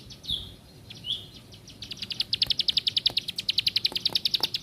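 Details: Plain prinia opening with two slurred, higher notes, then breaking into a fast, regular train of sharp, high chips for the second half.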